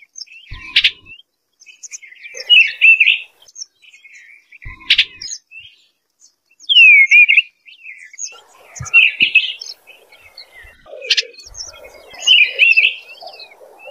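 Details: Eastern bluebird warbles come in short bursts every two to three seconds, mixed with sharp clicking sounds and one clean downward-curving whistle.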